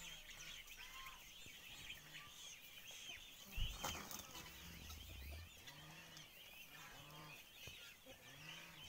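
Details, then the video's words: Male wild turkey courting a female: low, soft arching notes repeated roughly once a second, with a louder burst near the middle, under a busy backdrop of high chirping songbirds. "Flirting His Female | Wild Turkey"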